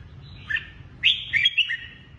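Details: Kept red-whiskered bulbul, Lân Tê type, with drooping wings: a brief chirp followed by a clear, rising-and-falling warbled phrase of bright whistled notes over a quiet low hum.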